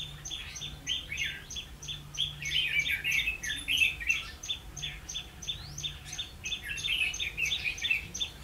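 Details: Red-whiskered bulbul used as a decoy for trapping wild bulbuls, recorded 16 October 2016: bright warbled phrases between mid and high pitch over a steady train of short high ticks, about three per second, throughout.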